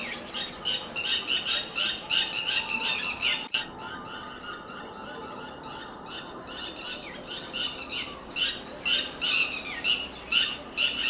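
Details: A red-wattled lapwing fighting with dogs gives loud, shrill, strident notes in rapid bursts, several per second with short pauses, calling nonstop against a faint background hiss.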